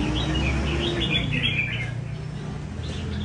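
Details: A tamed red-whiskered bulbul in training at a bird cafe sings a brief run of 'chạy cầu' phrases. Quick looping whistles fade after two seconds into low background hum.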